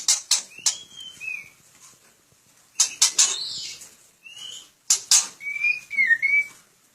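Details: White-rumped shama kept in a breeding aviary: clear, sliding whistled phrases, some rising and falling, mixed with sharp dry clicks and rattling bursts, coming in three short bouts separated by pauses.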